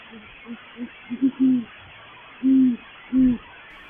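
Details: A male great horned owl of a courting pair, calling near a nest in a live oak in mid-January 2020 in the very late afternoon, gives a few faint short hoots, then three longer, louder hoots spaced under a second apart.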